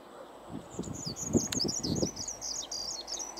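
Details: Skylark song: a fast, continuous high warbling of short twittering notes, with soft low thumps and rustling underneath.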